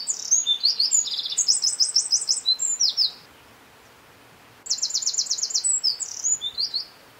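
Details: Eurasian wren singing, recorded at coordinates N49°52'51" E18°11'45": a loud, very high-pitched song of rapid tinkling notes and fast rattling trills lasting about three seconds, a short silent pause, then a second burst opening with a trill.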